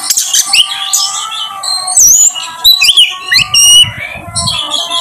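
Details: Kacer, or Oriental magpie-robin, lure recording to provoke singing: bright whistled slurs and sharp upward sweeps in quick bursts, some scratchy notes, with a low rumbling noise near the end and continuous chirping behind.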